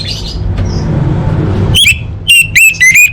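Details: Female orange-headed thrush calling males, played to provoke quiet birds into singing: after a hushed start with a low hum, four loud, clear whistled notes with rising and bending tones come in quick succession.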